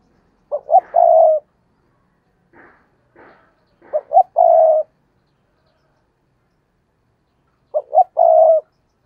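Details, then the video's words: Spotted dove used as a decoy to lure wild doves into cooing; three hollow phrases of two short notes and a drawn coo, spaced several seconds apart, with faint rasping notes between. "Chim Cu Mồi Cây Thúc Gù Và Gáy Gọi/ Cu gáy kích bổi nhanh nổi gù"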